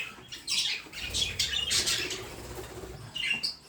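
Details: Budgerigar chatter: a run of sharp, high scratchy chirps and squawks in uneven bursts, with a softer warbled note near the end and faint low rustling underneath.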